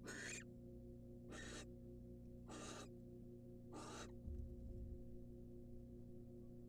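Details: Wild barn owl female in a research nest box, taking a rat delivered by the male; four short, breathy screeching bursts about a second apart, then quiet with a faint thump, over steady low hum.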